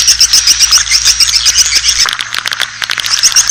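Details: Asian swiftlet calling sound meant to attract the birds: a regular string of sharp high twittering chirps, several per second, briefly giving way to softer clicking before the twitters return.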